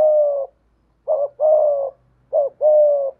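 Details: Decoy spotted dove with a prized 'thổ' style voice: one long mellow coo, then two paired phrases, each a short wavering note followed by a longer, slightly falling hollow coo, in quiet surroundings.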